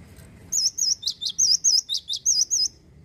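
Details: Male cinereous tit (gelatik batu) delivering a brisk phrase of around nine high, whistled looping notes in two seconds, steady rhythm, with low background rumble.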